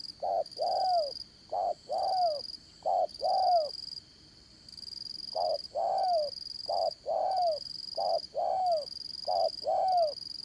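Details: Spotted dove serving as a trapping decoy, dán cổ style, Đồng Son voice: around seven paired coos, short then long with a falling tail, one pause in the middle, against a steady high-pitched whine.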